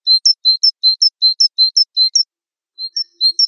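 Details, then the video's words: Java sparrow, Wingko variety, in a training recording: clear paired chirps, a lower note followed by a higher one, repeated steadily about three times per second, with a pause before a few more. "Gelatik Wingko SMART MASTERING"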